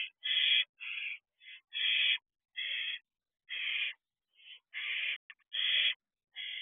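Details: Owlets of a barn owl family at their nest box at night in June 2023; a steady series of coarse, hissing screeches of varying length, loud and soft calls alternating almost without pause.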